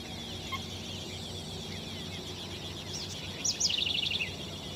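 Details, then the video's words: Snail Kite at San Ignacio, Misiones, Argentina, giving a quick, dry cackle of about eight high, rasping notes, preceded by faint distant chatter over a steady low hum. "Caracolero, Snail Kite"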